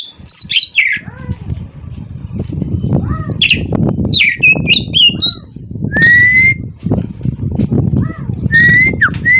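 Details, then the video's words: Oriental magpie-robin singing in the morning: varied whistled phrases, rising and falling sweeps and a sharp upslurred whistle, over a heavy low rumbling background. "TERAPI BURUNG KACER GACOR DI PAGI HARI"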